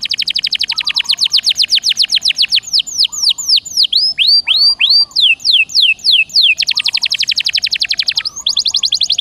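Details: Caged canary (Serinus canaria) in continuous prompting song: long fast runs of steeply falling whistled notes, slower looping whistles midway, then another rapid, evenly spaced series, with faint soft warbles underneath.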